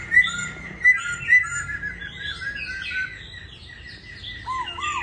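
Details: Laughingthrush kept in a cage at home in Hanoi, Vietnam, during its tail molt: three loud clear whistled notes at the start, then softer warbling and two low looping notes near the end.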